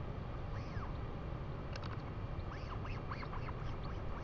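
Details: At a nest in New Zealand on 2 April 2020, with a female Northern Royal albatross visiting to feed her chick, a Royal albatross gives short, nasal, arched calls, singly then several in quick succession, over steady wind roar.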